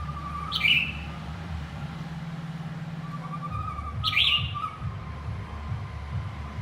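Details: A male white-rumped shama calls to its partner with two loud, sharp, downward-sweeping whistled notes about three and a half seconds apart, over a faint low hum.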